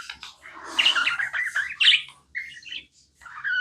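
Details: Tame budgie gives a whistled, wavering warble with squeaky slurred notes, then a few shorter chirps after brief pauses, over a faint low hum.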